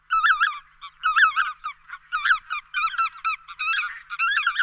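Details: Excited Lesser White-fronted Geese keep up a fast stream of shrill, squeaky, up-and-down yelps, several birds overlapping in near-continuous chatter.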